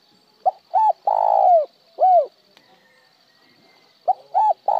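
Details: Spotted dove repeating its cooing phrase: a short note, an arched note, a long burry coo and a separate arched ending note. After about two quiet seconds the next phrase begins with the same short notes.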